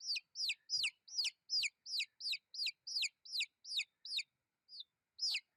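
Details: Baby chickens peep in bright descending chirps, a rapid regular series that pauses briefly before two final peeps, against silence.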